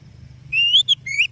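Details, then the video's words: A brief excerpt of oriental magpie-robin lure song used to encourage other birds: a level whistle and a rising slurred note, separated by a short chip, over a low hum. "Suara Burung Kacer Yang Sangat Indah,Cocok untuk Pancingan"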